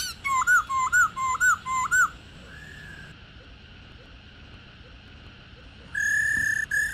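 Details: Old wild female Black-throated laughingthrush giving its ro call, kept to stimulate captive males to sing: five quick rising whistled notes in a row, then a short pause, a soft level whistle, silence and a loud steady whistle near the end.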